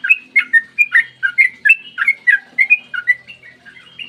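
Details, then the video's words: Sooty-headed bulbul delivering 'ropel panjang', a long continuous morning song meant to prompt other bulbuls to sing: rapid chain of rich, gurgling whistles, about two notes per second, each note bending sharply in pitch. "trucukan gacor ROPEL PANJANG buat pancingan trucukan agar bunyi"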